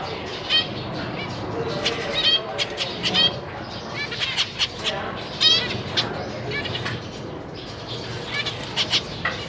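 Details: Zebra finches in a large cage, two parents with three juveniles and three newly fledged chicks being fed, giving frequent short nasal harmonic calls in irregular bursts, some rapid and overlapping, over a steady low background hum.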